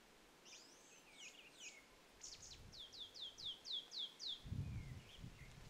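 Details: Grey-backed thrush singing at Upo Wetland (Sobeol) otter marsh among blooming Chinese milk vetch; high thin notes, then a quick run of about eight repeated curved chirps, with a faint low rumble late on.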